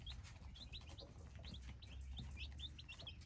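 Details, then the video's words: Quiet high-pitched peeping from a brood of hybrid chicks, with short upslurred notes repeated in loose clusters over a constant low droning hum. "Hybrid chicks - me nyuam qaib dib txuam txoov"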